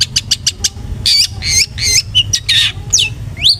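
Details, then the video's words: Long-tailed shrike song used as a lure to provoke aggressive singing: quick clicking notes, then harsh rasps mixed with sharp rising and falling whistled notes, over a low hum. "PANCINGAN BURUNG CENDET GACOR jitu buat Pancingan Cendet Agar Bunyi EMOSI"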